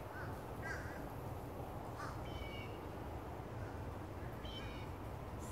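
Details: A large, social group of Fish Crows high in trees at Florida Botanical Gardens in the afternoon give short, nasal two-note "uh-uh" calls, repeated a few times over steady wind rumble and distant noise.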